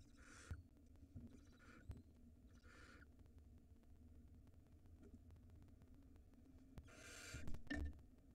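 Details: At a nest in Israel, a barn owl nestling swallows a rodent while the mother looks outside; several short, breathy hissing bursts spaced about a second apart, then a louder rasp near the end, over low background rumble.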